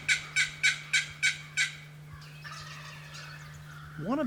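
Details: Early morning gobble of a wild turkey in April, heard during a hunt: six loud, rough pulses in quick succession over under two seconds, then distant birdsong and a brief rising sound at the end.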